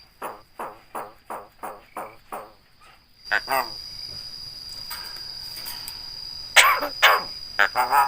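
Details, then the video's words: Javan myna (jalak kebo), a talking bird known for a very loud voice and for imitating human sounds like greetings and coughing: a run of evenly repeated harsh nasal notes, then loud broadband rasping bursts over a steady high hum. "BURUNG JALAK BISA NGOMONG,UCAP SALAM BATUK DAN LAIN-LAIN"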